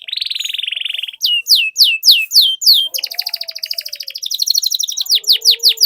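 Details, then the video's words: Canary tutor song with long rolls, meant to make other canaries sing: a buzzing roll, a series of clear descending whistles, then a rapid extended trill and closing whistled sweeps. "Suara Pancingan Burung Kenari Agar Cepat Gacor dan Ngerol, Masteran Suara Kenari Ngeroll Panjang"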